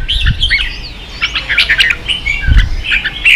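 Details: Vietnamese cage-kept red-whiskered bulbul in heated competitive singing, short slurred whistles and chattering notes tumbling together, with a couple of dull low thumps beneath.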